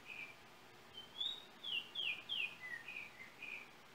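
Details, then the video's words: Trinidad yellow oriole song recorded with a cell phone: a brief opening note, then a flowing chain of loud, clear, down-slurred whistles followed by lower, softer notes spaced evenly to the end, over quiet hiss. "Yellow oriole bird of Trinidad"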